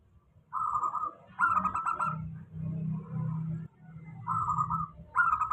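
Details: Steady lure song of a local zebra dove, meant to stir doves that sing little. Rolling staccato coos are delivered in short bursts separated by gaps. A low droning hum runs beneath them.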